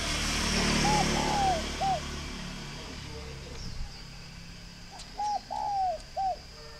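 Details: A farm-kept spotted dove in Ba Vì, Hanoi, northern Vietnam, repeats its three-note coo twice, about four seconds apart. Each coo has a short start, a long sliding middle and a short end. A person talks over the first phrase, and brief clicks are heard.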